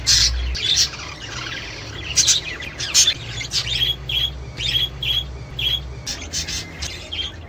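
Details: Budgerigar chirping meant to encourage mating and breeding: scattered sharp high chirps, then a run of short, clear whistled notes repeated about every half second, with a low background hum.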